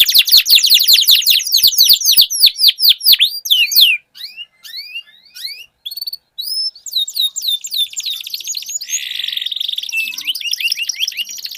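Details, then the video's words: Canary duel song to spur silent birds: a rapid series of downslurred notes, scattered chirps with brief gaps, then a buzzy trilled passage. "Duel Burung Kenari Suara Merdu Ngerol Panjang || Pancingan Ampuh Kenari Macet Langsung Gacor Ngerol"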